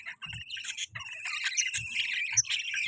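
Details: Pet budgerigar chirping in a steady, busy warble of high twittering notes with short squeaky whistles, rising toward the end, over a few soft low thumps.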